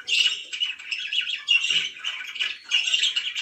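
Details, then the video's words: Budgies kept as pets twitter continuously indoors, a dense buzzy warble with quick repeated chirps and a brief soft thud. "#chirpingbirds #budgie"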